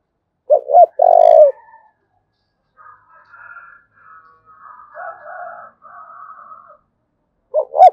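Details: Spotted dove from Dong Nai, Vietnam, calling 'thúc bổi' style: a loud hooked double note and a long low coo, then a fainter, higher rooster-like crowing in the middle, and a fresh coo phrase at the end.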